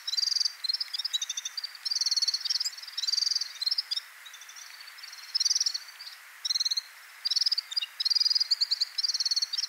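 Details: Red-fronted serin song in bursts: high, dry, buzzy trilled phrases about a second long, separated by short pauses, repeated throughout.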